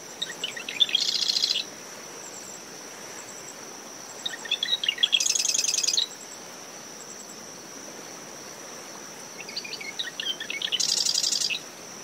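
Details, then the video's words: Marsh wren singing in early morning from dune shrubs around a nest at SMNWR after post-tropical depression Claudette. Three songs about five seconds apart, each opening with scattered chips and ending in a dense buzzy rattle, over a steady cricket tone, wind and waves. "Marsh Wren Calls from Dune Vegetation"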